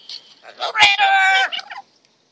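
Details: Pet double yellow-headed amazon parrots, two birds, giving a loud, raspy, harmonic squawk lasting about a second, preceded by softer nasal notes and followed by brief trailing chatter.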